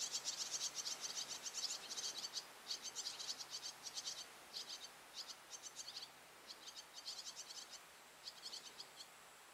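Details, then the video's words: Recently fledged swallow begging a parent for food, not yet able to catch its own; rapid high chirps in dense bursts, repeated several times a second with brief pauses, over steady low background hum. "エサをおねだりするツバメ The swallow which asks for feed."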